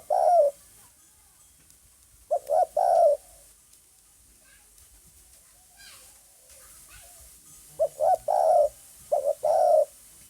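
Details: Cooing spotted dove, 9 May 2020: mellow low hooted phrases of two or three notes with a drawn final coo, separated by a long quiet gap with faint background noise.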